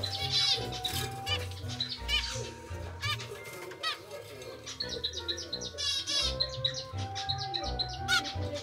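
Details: A captive-bred normal grey zebra finch chick of pied parents begs for food in quick bursts of high, raspy, harmonic chirps, with fluttering wings and soft background music throughout.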